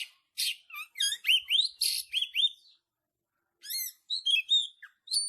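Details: Oriental magpie-robin training song in the dense rapid-fire tembakan style for caged birds: bursts of sharp, rising whistled notes and buzzy chirps, then a pause of about a second before more quick whistles.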